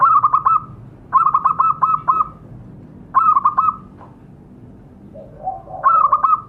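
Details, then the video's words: Lure calling of a local zebra dove (perkutut), played to prompt caged doves to answer: bursts of three to five rapid, hollow staccato coos at one pitch, separated by pauses of about a second, with a soft lower murmur near the end. "Pancingan suara perkutut"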